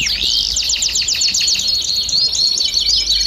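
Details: Flock of domestic canaries singing together, played to stimulate other birds to sing: dense overlapping high trills of rapid repeated notes, with a thin steady whistle running underneath.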